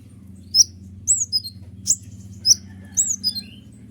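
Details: Sunbird known locally as kolibri ninja, in a noisy, lively singing bout used to provoke other birds such as prinias. Sharp, high squeaky notes falling in pitch, given in separate bursts about every half second.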